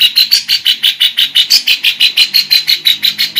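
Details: Female lovebird song described as a cengkok of kapas tembak and cucak jenggot, delivered as loud, even pulses of harsh, high chatter, roughly three bursts each second, with a thin ringing tone running through them.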